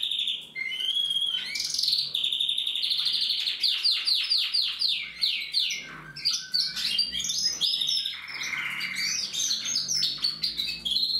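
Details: An older male canary practising his song after the moult: a continuous, varied high warble of whistles, quick rattling trills and sliding notes, loud and unbroken.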